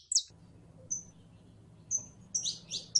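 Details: In heat, a female canary calls a male to mate: one sharp downward chirp, then thin high whistled notes and a short cluster of falling chirps at the end, with a low hum underneath.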